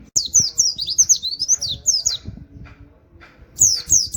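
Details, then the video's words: Oriental white-eye song in 'nembak' style with canary-like 'wit wit', serving as a master recording for training songbirds. A quick run of shrill chirps is followed by a quieter gap with faint low sounds, then another shrill burst. "pleci nembak wit wit kenari cocok buat masteran"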